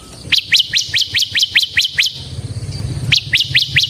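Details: Ciblek (bar-winged prinia) used for luring and training other ciblek birds, giving a run of about eleven high, sharply dropping chirps, a short pause, then four more, over low rumbling background noise.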